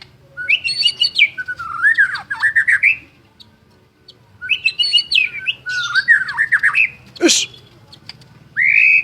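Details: White-rumped shama, described as a lively champion singer, delivers two bursts of rich, varied whistled phrases with rapid rising and falling slurs, a sharp downward-sweeping note near the end, and a final steady whistle, over a low steady hum.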